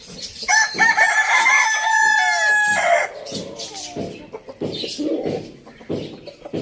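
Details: Rooster from a farm village gives one long, loud crow with stacked harmonics, wavering at the start and falling away at the close, followed by softer clucks and background farmyard noise.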